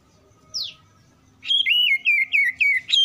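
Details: Oriental magpie-robin responding quickly to other song: one falling chirp, a pause, then a fast series of loud, clear whistled notes that dip and rise about four times a second.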